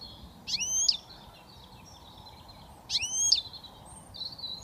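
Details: Young European goldfinch from Britain, just beginning to whistle, gives two bright, sharply sweeping notes about two and a half seconds apart, with thin, faint twitters around them.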